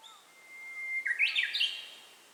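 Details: Japanese bush warbler singing, captured on a handheld camera one day at an unnamed spot: a long, steady, mid-pitched whistle held about a second, then an abrupt, higher, jumbled flourish of quick slurred notes, in a quiet background.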